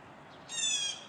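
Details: On a dreary morning with white skies, a Blue Jay sounding off outdoors gives one harsh, nasal, steady call lasting under half a second, rich and ringing, over a quiet background.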